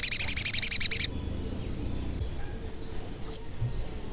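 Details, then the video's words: Sogon, a bird often heard calling cuit cuit, used as a lure for wild birds: a rapid, high, buzzy trill of about eight pulses for one second, then near silence broken by one sharp high note. "Pancingan Sogon Agar Bunyi dan Emosi"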